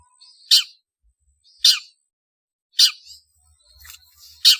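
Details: Long-tailed shrike calling as a lure to gather birds: harsh, grating shrieks roughly every second, each preceded by a short soft nasal note, with faint low thumps.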